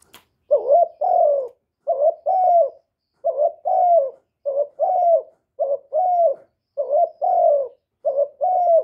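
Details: A young male spotted dove calls loudly, each phrase a short low coo followed by a longer, slightly descending croo, repeated steadily about every one and a half seconds in a clean recording with no other sounds.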